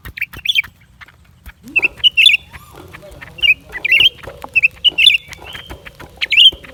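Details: Lesser green leafbird chirping in a steady string of bright, scratchy notes roughly every half second, alongside a lower sliding tone and a soft background hum.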